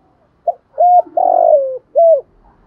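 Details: Spotted dove, called cu gáy or cu đất, gives one cooing phrase: soft short note, level hooting coo, long rough note dropping in pitch, closing coo, with faint low background hum.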